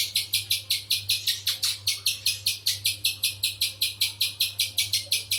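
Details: Spiderhunter calling in quick succession with shrill, buzzy chips, around two and a half per second, a few notes dipping lower; a soft steady hum lies beneath.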